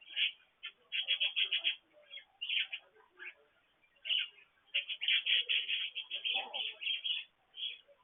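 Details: Pet budgerigars during morning activity, captured by a petcam beside a water fountain: bright, scratchy chirps in quick bursts, clustered early, then a longer run of rapid chatter, with softer warbling between.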